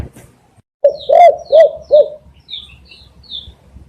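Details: Spotted dove used as a decoy for catching doves. It gives three loud, round, mid-pitched coos in quick succession after a short opening note. Faint high chirps from small birds follow.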